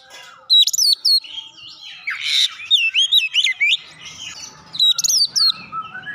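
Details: Oriental magpie-robin singing with Java sparrow mimicry inserted: bursts of sharp chirps, looping whistles and harsh notes, a brief raspy squawk, rapid varied phrasing with short pauses.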